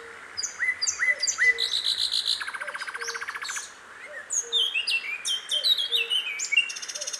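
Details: Singing sikatan londo flycatcher out in the wild, with upslurred whistles, a buzzy trilled stretch and many varied squeaky chirps and rising notes, other birds overlapping and a repeated faint low tone in the background.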